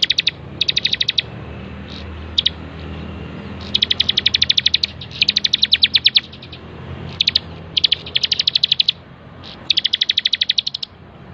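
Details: Training master recording of a bar-winged prinia: repeated bursts of fast, high, rattled chirping, some short and some over a second long, across eleven seconds with a low background hum.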